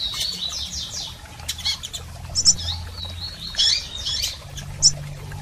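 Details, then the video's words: Female and male double-collared seedeaters calling to stimulate a male bird: quick high chirps and short sliding notes, some in rapid clusters, spaced unevenly, with faint low background rumble. "PIADOS de Coleiros Fêmeas e Machos Para Foguear Seu Coleiro!!!"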